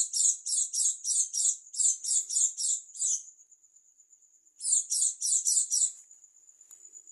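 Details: Unusual song of an Oriental white-eye, dakun style from East Java: a quick string of harsh, high buzzy notes, a long thin whistle, then a shorter burst of the same notes before the whistle returns.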